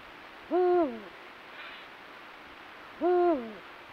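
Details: Wild Eurasian eagle-owl calling in its territory during courtship on a moonlit breeding-season night; two deep, rich hoots roughly two and a half seconds apart, each with a short steady tone and a falling, fading tail.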